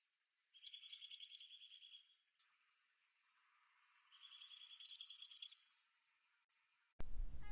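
Eurasian Blue Tit giving two bouts of its call: a couple of thin, high notes followed by a scolding, buzzy churr, repeated after a pause; a voice begins at the end.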